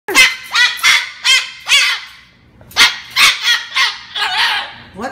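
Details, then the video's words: Pet cockatoo yelling at its owner for filming it: harsh, raspy squawks in quick bursts of about two or three a second, with a brief pause midway before the outburst resumes. "Cockatoo YELLS at owner for video taping him!"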